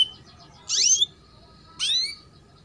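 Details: Female canary giving chirps meant to coax young birds into song: two bright, high chirps about a second apart, each sweeping sharply downward, after a soft trailing twitter.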